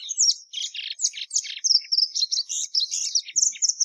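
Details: Plumbeous seedeater (Sporophila plumbea) song mixing fast high chirps and buzzy notes with clear sustained whistles, the later part carrying long level whistled tones between quick twitters.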